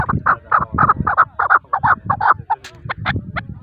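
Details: Male chukar partridge calling: a rhythmic series of short, hoarse chuck notes, about three per second, steady at first, then becoming thinner and more scattered toward the end.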